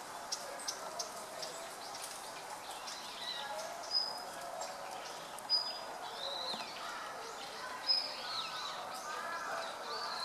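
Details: Red-billed leiothrix, a wild bird filmed in a park on a November 2012 afternoon using a Panasonic LUMIX FZ200; scattered sharp high chips and short looping, wavering whistled notes, several loud ticks standing out against constant low hiss.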